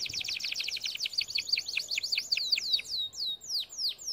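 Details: Canary training song: rapid repeated V-shaped chirps sliding down and up, slowing into spaced descending whistled notes at the end.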